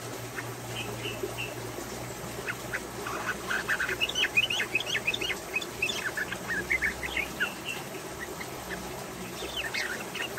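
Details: Female yellow-vented bulbul singing actively while crouching and pushing its tail. Bubbly, chattering notes come in an irregular burst between about two and six seconds, then a shorter phrase near the end, over a low steady hum.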